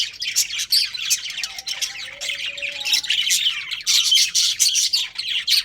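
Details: Breeding pair of budgerigars chattering continuously, a dense stream of high scratchy chirps and squawks with brief pauses, plus a faint low steady hum underneath.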